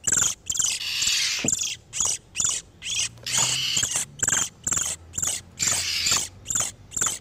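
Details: Oriental magpie-robins in breeding condition, male and female, played to lure wild birds: grating, buzzy notes repeated about twice a second in an uneven rhythm, some longer harsh bursts between.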